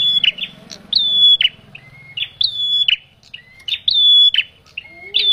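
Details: Male bar-winged prinia call played to lure birds for trapping: repeated high level whistles bracketed by quick chips and lower short notes, about four phrases, over a faint low rumble and murmur.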